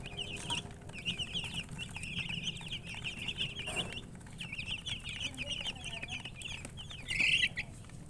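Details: Baby chickens chirping together: rapid high-pitched peeps in long continuous bursts, a brief pause near the middle, and one louder shrill peep near the end, with low hum behind.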